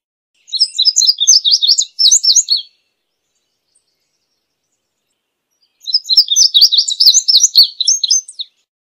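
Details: Song of the indigo bunting (Passerina cyanea): two high, rapid, jumbled phrases of paired sweet notes, each about two seconds long, separated by roughly three seconds of silence, no other sounds.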